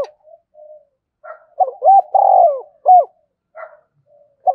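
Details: Decoy spotted dove calling with rapid coos. A series of short, hollow, clipped coos follows soft faint notes, with one longer, fuller coo in the middle and no other sounds.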